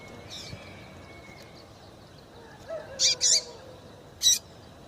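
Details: Calls of a female double-collared seedeater, meant to excite males kept for tournaments: a faint early note, then a quick pair of sharp, high chirps and one more chirp a second later, over a low hiss.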